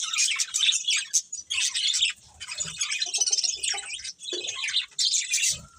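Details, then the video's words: Budgies chirping in bursts of fast, scratchy warbling chatter separated by short quieter moments, with some soft lower squeaks. "Cute Budgies Chirping Sounds"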